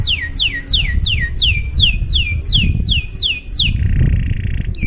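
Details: Canary singing long and showy to prompt other canaries to join in: about eleven loud downslurred whistles repeated roughly three per second, then a buzzy roll and a short whistle, over low background hum.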